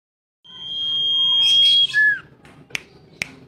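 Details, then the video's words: Mountain tailorbird (sirdum) singing in a loud, open ngeplong style, used as tutor song for pet birds: one long, steady, high whistled note swelling in volume, a short lower whistle, then two sharp clicks. "BURUNG SIRDUM/CIPO/Sirtu BERSUARA NGEPLONG BOCOR DURASI PANJANG"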